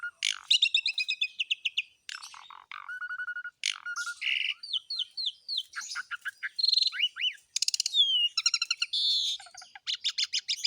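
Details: Varied, nonstop Asian pied starling song: fast rattling trills, a harsh buzz, a string of level whistles, swooping slurred notes and rapid chip series, each phrase different from the last.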